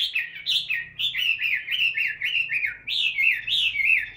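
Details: Chinese hwamei, a tame cage bird, singing in training: loud, looping whistled phrases that rise and fall in rapid succession, with a faint low hum beneath.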